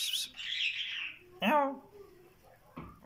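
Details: Talking kandari myna producing speech-like phrases: a bright high burst, a long descending buzzy sweep, then a loud syllable with stacked harmonics and a short final note. A quiet background with faint low noise.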